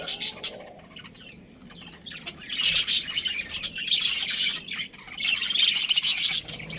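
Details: Australian budgies, a breeding pair, giving a few sharp squawks, then a quieter spell, followed by sustained scratchy chirping chatter.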